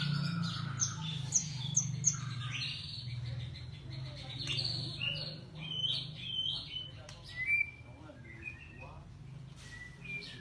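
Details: White-rumped shama, called a golden shama, singing a varied series of whistled and chirped notes, some sliding and some sharp, over a steady low hum, with faint voices in the background.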